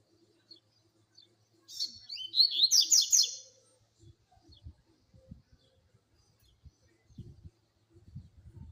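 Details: Double-collared seedeater delivering a quick phrase of sharp, high-pitched chips and trills for about one and a half seconds, followed by quiet low knocks and handling sounds.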